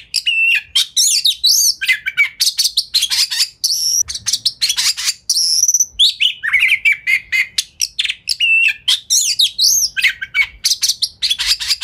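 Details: Fast, tightly packed magpie-robin song used as a lure to provoke other birds into replying: a nonstop torrent of whistles, chatters and harsh rasping notes mixed with sweeping upslurs.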